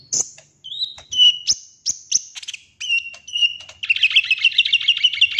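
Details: Golden-fronted leafbird singing a lure song to prompt vigorous singing: clear whistled notes and short slurs, some rising and some falling, then a fast rattling trill of rapid repeated chirps over the final second and a half.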